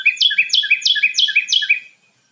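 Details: Carolina wren; duet; male and female singing together as a pair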